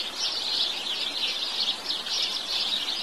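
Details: House sparrows chirping; dense overlapping chirps from several birds form a continuous bright chatter in steady pulses.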